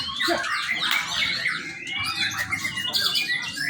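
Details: Young white-rumped shama singing as a lure: short, loud passage of clear whistled slides rising and falling, interleaved with squeaky, scratchy chatter.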